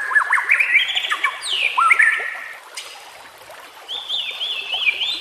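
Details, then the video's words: White-rumped shama song used as training material for captive birds: varied clear whistled phrases, some sliding down, others rising, with a pause, then a run of quick repeated high whistled notes. "pancingan murai batu TERBARU FULL ISIAN KOMBINASI"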